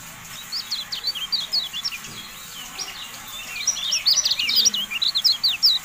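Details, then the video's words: Javan white-eye song used to train caged birds: bursts of quick, high, zigzagging chirps, a short pause, then a louder, denser twittering phrase. "MASTERAN TERBARU KECIAL KUNING"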